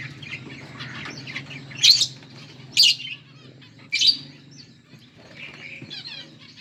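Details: Pet budgies, a pair: three loud, harsh squawking chirps about a second apart over a soft background warble, with a low steady hum underneath.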